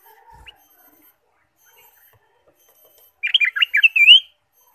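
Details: Ruby-throated bulbul in spirited song used to encourage caged birds: after faint quiet chirps, a rapid bubbly warble rises into a clear upward-sliding whistle.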